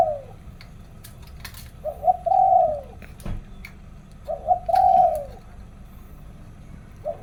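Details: In the morning a zebra dove gives two spaced phrases of quick stuttering coos ending in a long falling note, separated by quiet pauses with light clicks.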